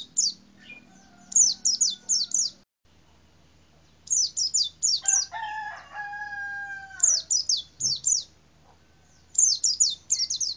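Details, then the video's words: White-eye in a cassava tree singing bursts of four to five very high, thin, quick descending whistled notes, repeated every few seconds; a rooster crows loudly in the middle. "BURUNG PLECI DI POHON UBI"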